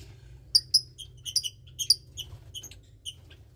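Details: Lovebird chick about 20 days old, from a Parblue Turquoise and Euwing Blue Opaline pair, in a nest with two chicks tended by their parents; thin, high chirps come in short irregular bursts, some doubled, in a quiet room.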